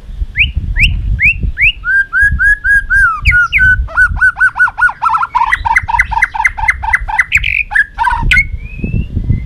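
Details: White-rumped shama fighting song, used to train other birds: clear rising whistles, then long runs of rapidly repeated slurred notes with clicks, closing with a drawn-out rising whistle.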